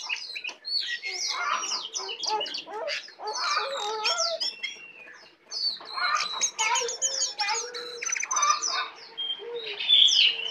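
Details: Tame, vocal brown prinia in full song: a busy run of high chirps, rapid twitters and short whistled notes, with harsher buzzy phrases mixed in and some lower background sound.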